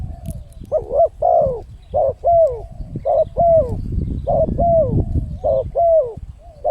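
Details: Wild-bird lure recording of a spotted dove, clear paired coos with downward slurs repeated roughly every second, faint rumble beneath.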